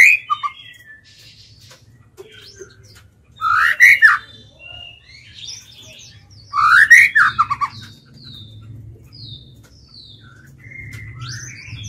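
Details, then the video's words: Caged White-rumped shama used as a lure, singing to draw and provoke wild birds: two loud, rich bursts of tumbling whistled notes separated by quiet gaps with thin, faint high notes between them. "Chích chòe lửa mồi hót gọi bổi"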